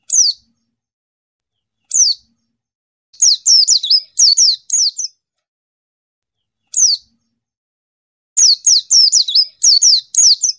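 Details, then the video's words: A white-eye challenging a rival gives single high descending notes spaced a few seconds apart, broken by rapid chattering bursts of many similar sliding notes, with no other sounds around. "PLECI MANGGIL LAWAN"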